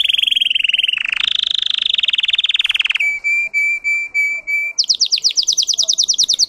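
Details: Russian canary bred for song moves through tours: a fast rolling trill, then pure whistled notes repeated about three per second, ending in a quick run of high falling notes.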